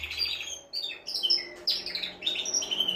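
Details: Male canary singing to ready a female for mating: short whistled chirps and sweeping notes in quick bursts, with brief pauses between phrases.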